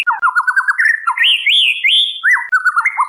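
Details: Female white-rumped shama calling the male, used as a lure recording: loud, clear whistled phrases, first a rapid series of looping notes, then higher sweeping slurs, ending in quick repeated trills, with no other sounds.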